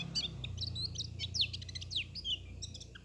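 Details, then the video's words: White-eye singing in the 'teler' style: high, fast twittering chirps and quick downslurred notes run together irregularly, with a steady low hum underneath. "suara burung pleci teler"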